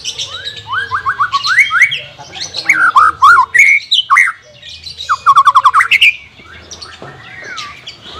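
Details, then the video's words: Song of a white-rumped shama, played to coax a reluctant bird into singing: rich, varied whistles, rising slurs and quick stuttering trills in loud bursts separated by short gaps, with some harsh chattering notes. "CARA MELATIH BURUNG MURAI BATU MALES BUNYI"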